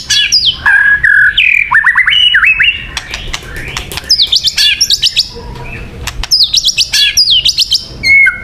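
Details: White-rumped shama song used as a lure for trapping birds: loud, varied phrases of clear whistles, rising and falling slurs and sharp chirps, some notes sweeping high, delivered in rapid bursts with short pauses.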